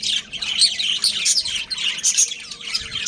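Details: Budgerigars, a breeding pair kept as pets, give a brief burst of bright, squeaky chirps and rasping chatter, packed tightly with short whistled peaks.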